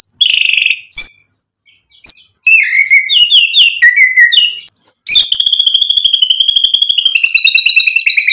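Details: An energetic white-rumped shama goads rival shamas into song: varied whistled and slurred phrases, then a long, fast, even rattle that runs on for three seconds.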